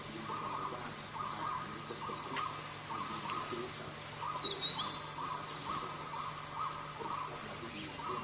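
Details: Selendang biru bird calling in the wild: thin, very high whistled notes sliding slightly downward, delivered in a quick burst near the start and again near the end, over a steady pulsing insect chorus.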